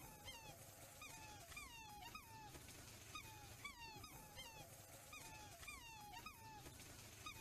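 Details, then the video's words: Black swans give high, musical whistled calls that slide downward, often in quick pairs, repeating every second or so over a low outdoor rumble. "Black Swan Sounds Effects! Video On The Sounds Black Swan Make!"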